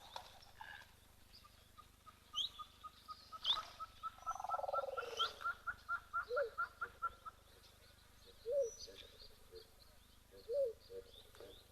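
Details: At an African waterhole, an African mourning dove gives low, hooked cooing notes about every two seconds, alongside a fast, even series of higher piping notes and scattered chirps from other birds.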